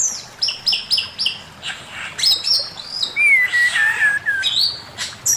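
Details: Male Chinese hwamei singing master song, opening with quick repeated high whistled notes about four a second, then a long wavering descending whistle and further bright slurred phrases.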